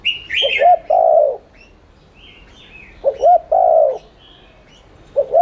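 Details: Spotted dove cooing in the rapid 'thúc liên thanh' manner as a stimulating lure: two full low phrases of short notes ending in a long soft coo, a third just starting, with brief high twittering from small birds early on.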